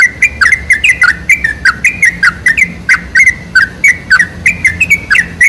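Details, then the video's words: Sooty-headed bulbul singing, recorded as a lure to make other bulbuls sing. Loud, lively strings of clear, slurred chirps tumble out in rapid succession, each note briefly rising or falling, over faint low rumble. "PANCINGAN SUARA TRUCUK TERBAIK"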